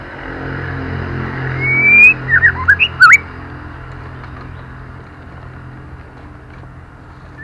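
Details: Female white-rumped shama, singing to excite males, gives a single phrase of a rising whistle and quick looping notes with clicks, then falls silent apart from a steady low hum.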